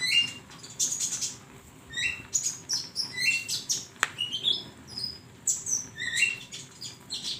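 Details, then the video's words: High-pitched flowerpecker song for training songbirds: quick rising whistled notes and thin tinkling chirps repeated in lively bursts, with one sharp click midway. "masteran burung Konin"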